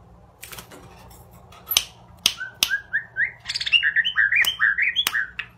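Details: White-rumped shama, described as an expensive class bird, singing a quick run of rising whistled notes and chattering phrases after several sharp clicks.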